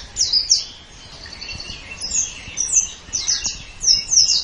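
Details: White-eye (pleci) on a masteran tutor track in gacor style: separate bursts of thin, very high chirps roughly every half second, with soft quieter twittering between them and faint background noise.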